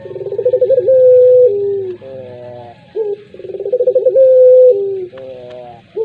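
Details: Puter pelung song from a collared dove: twice, a rapid rolling stutter leads into a long clear tone that drops lower, followed by a buzzy, reedy harmonic phrase and a brief rising note.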